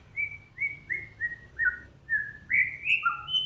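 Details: Lively song from a cage-bird master mixing Samyong, Kancilan Flores and Garugiwa: a steady series of short, clear whistles, each gently dropping in pitch, repeated about every third of a second, ending in higher, rising notes. A faint low hum sits beneath.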